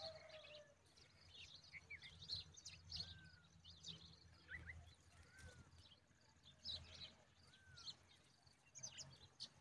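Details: A bulbul chick being fed an oversized grasshopper gives thin, high chirps and a few short slurred whistles, repeating irregularly over a low rumble of background noise.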